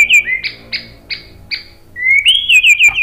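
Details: White-rumped shama song used to draw replies from other birds: a whistle and four evenly spaced short chirps, a pause, then a rising whistle breaking into quick warbled notes.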